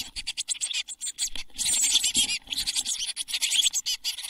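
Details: Nest box full of Eurasian blue tit chicks, seven young hatched in early June and fledging at Midsummer 2022: almost continuous high, raspy chattering, with scratching and rustling of moving bodies mid-way.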